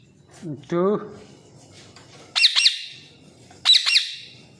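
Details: Parrots kept as pets at home for two years; a short buzzy warbled vocal sound, then two loud harsh squawks, each doubled, about a second apart in a quiet room.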